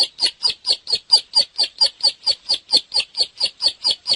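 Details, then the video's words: Bar-winged prinia giving a rapid, metronome-like series of sharp chipping notes, roughly four per second, with a rough, slightly distorted edge. "Suara Burung | Ciblek Gacor"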